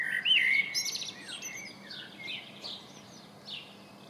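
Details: A Common blackbird near a house in Coltness, Wishaw, opens with a short fluted whistled phrase, then trails into thin high twittering; other faint chirps follow over light background noise.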